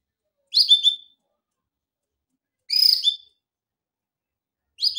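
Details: A male canary sings for training in short separated bursts, brief twittering phrases repeated about every two seconds with silence between.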